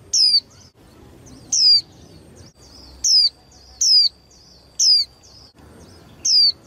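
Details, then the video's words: Young female white-eye, kept to stimulate males into singing in contests, gives short, high, thin downslurred notes, about six in under seven seconds at an uneven pace, with a faint steady high tone between them and low background hum. "KHUYÊN MÁI TƠ - Kích Trống Líu Đấu Sung Hơn Mỗi Trận"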